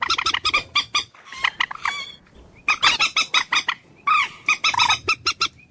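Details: Common moorhen giving fast bursts of harsh clucking, three main clusters, some notes bending upward into squawks, with short quiet spells between clusters.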